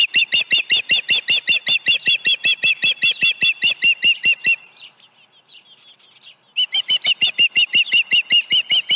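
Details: Osprey at the Dunrovin Ranch nest during early feeding on 1 June 2019: a rapid, even series of shrill chirps, about two and a half per second, breaking off for two seconds before resuming at the same pace.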